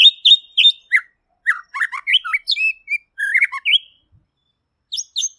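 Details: White-rumped shama of the murai pastor type, said to be chatty and clear, pours out quick varied whistles and twittery notes, pauses briefly, then adds a few high chirps.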